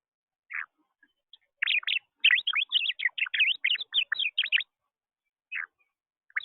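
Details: At a feeder, a blue finch that declines the seeds makes funny noises: a lone chirp, then a fast three-second burst of bright, twittering notes rising and falling, ending with two more single chirps.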